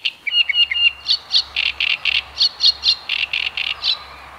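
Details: Great crested grebe accompanied by chicks, Tovačov ponds, Czech Republic, recorded 2013–2014; a string of short high piping notes, a few quick whistles then evenly spaced shrill calls, over faint low background rumble.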